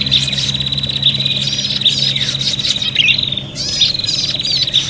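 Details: Prinia calls described as agitated fighting, used for luring: a steady high rattling trill with sharp chips and downslurred notes, a short break near the middle, over a low hum.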